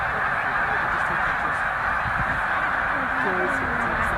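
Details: Snow geese in a huge migrating flock of about 100,000 at Middle Creek wildlife refuge: constant chorus of honks, with a few individual wavering calls rising above the din near the end.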